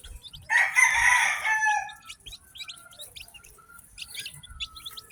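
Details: Chirping from a batch of newly hatched chicken chicks: quick, high, thin peeps repeated irregularly, with a loud harsh rooster crow about one and a half seconds long near the start, over faint low rumbling.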